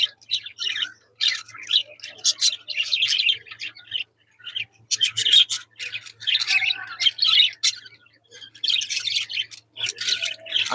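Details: Several budgerigars kept as pets chatter in the afternoon, giving rapid scratchy warbles, chirps and squawks in irregular bursts separated by short pauses.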